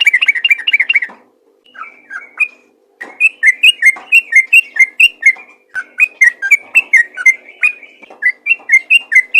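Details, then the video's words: Yellow-vented bulbul in full 'ropel' song, meant to draw other bulbuls into singing. A quick trill opens, then brief gaps give way to a long stream of varied, sweet, rising and falling notes, uneven in spacing and loudness. "BURUNG TRUCUKAN ROPEL GACOR UNTUK MEMANCING TRUCUKAN LAIN AGAR RAJIN BUNYI"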